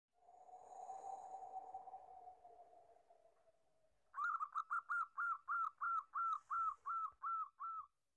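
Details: Local zebra dove giving a lure call: after about four seconds of a low steady hum, a fast run of a dozen bright, evenly spaced cooing notes follows, each slightly rising then falling, with no pauses between them.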